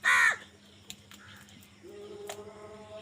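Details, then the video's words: Crow fighting for food opens with one short loud caw, then faint clicks and a thin tonal whine with soft bird chirps behind. "কাকের ডাক Crow Sound Crow ki Awaz Loudly | Crow bird Fight for Food"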